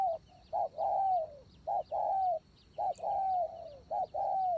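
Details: Decoy spotted dove cooing clearly in a regular rhythm, roughly once a second: a brief low note, then a longer mellow coo that bends downward, with faint high chirps in the background.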